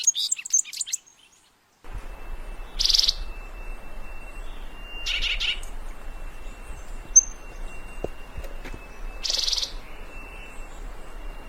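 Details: Thick-billed Euphonia (fruterito picudo) from Colombia, used for calling birds: short harsh buzzy bursts high in pitch, spaced a few seconds apart, over a steady faint electronic tone and a quiet noisy background.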